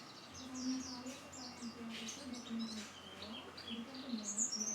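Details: White-eye singing a busy string of sharp, high twittering notes and quick down-slurred whistles, ending in a bright, piercing phrase, with a low droning hum underneath.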